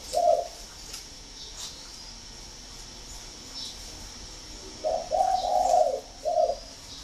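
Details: Loud, clear-voiced spotted dove cooing: one brief hoot, a long pause, then a three-part phrase of short coo, long wavering coo and closing short note, low-pitched and mellow.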